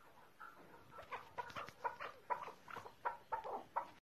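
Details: Excited 'mast' male chukar partridge, called keklik, in Tajikistan: a series of sharp chuk notes, about two per second, rising from a soft start to louder, evenly spaced calls against faint background noise.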